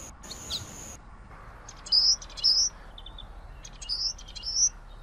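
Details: Common waxbill (Estrilda astrild) song: two short phrases, each of soft clicking notes followed by two high, nasal whistled notes, about two seconds apart, after a brief burst of noise at the start.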